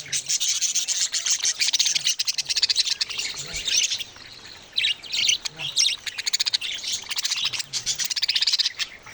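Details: Baby budgerigars calling: dense, scratchy high chirps and rasping chatter in rapid pulsed bursts, nearly continuous with brief pauses around four and six seconds.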